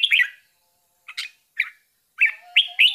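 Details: Bulbul mother with her babies at feeding; a few isolated, sharp chirps spaced by silences, then three quick, clear notes close together near the end.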